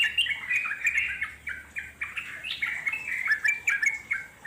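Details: Wild yellow-vented bulbul in long continuous chattering song (ngeropel panjang), played to draw wild birds into answering: bubbling, quick warbled notes with rising and falling slurs, pulsing in short bursts, several voices overlapping.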